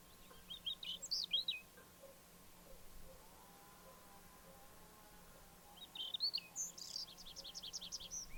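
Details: Whinchat singing near Obninsk on 29 April 2023: two bursts of short, scratchy, twisting high notes with a rapid repeated rattling series in the second, separated by a quiet gap over steady low background hum.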